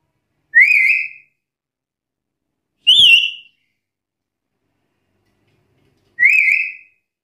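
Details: Black-capped lory calling to challenge rivals: three harsh, shrill whistled notes at uneven gaps of about two and three seconds, the middle one higher and more bent.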